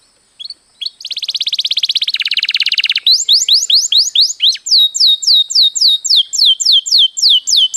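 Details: Canary master training song, long and rolling: two brief notes, a dense rapid buzzy trill dropping in pitch, then loud repeated downward-sweeping whistles about three per second.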